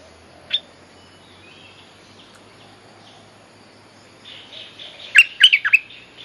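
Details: Bulbul mate-calling song used as a lure for teaching young birds: a few faint high notes, then a brief burst of sharp, bright chirps near the end over a soft background hiss.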